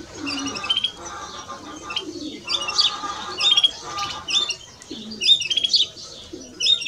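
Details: Male and female European greenfinch singing: bursts of bright chirping twitters, some with tight trills, come in clusters every second or two. Lower, short, mellow notes from another caller sound in between.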